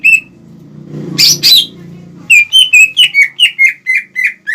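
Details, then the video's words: Greater green leafbird song used to provoke rivals; a low rumble and two harsh rasping notes, then a steady series of clear whistled chirps at about three per second. "PANCINGAN CUCAK IJO GACOR CEPAT MEMANCING EMOSI LAWAN"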